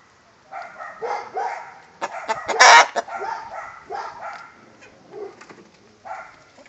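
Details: A rooster and hen giving the egg song, with scattered low clucks and murmurs around one loud, harsh cackle near the middle, then quieter clucking afterwards.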